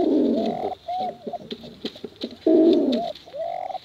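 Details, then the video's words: Contest pigeons, male and female, two loud deep rolling coos each ending in a smooth arched note, with softer clicks and faint coos between. "Suara Bekuran Burung Merpati Lomba Hutan Dara Durasi Panjang"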